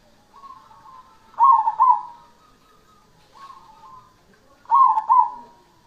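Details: A black (cemani) zebra dove coos in soft, rolling phrases: quick bubbling notes ending in a louder double coo, repeated about every three seconds.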